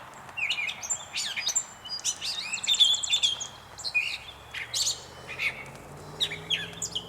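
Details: Gray catbird at North Tetagouche, New Brunswick: a rambling run of varied squeaky, scratchy high notes and short chirps, jumbled phrases given without pause over a low background hum.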